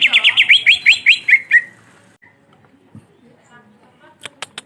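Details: Black-beaked greater green leafbird in a rolling song meant to provoke other birds: about ten fast, bright notes in under two seconds, falling gradually in pitch, followed by near silence and a few sharp clicks.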